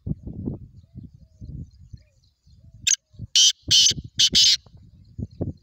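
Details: Kala teetar, the black francolin, calling: a short harsh phrase of about four loud, scratchy, rasping notes delivered rapidly, over a low muffled rumble of background noise.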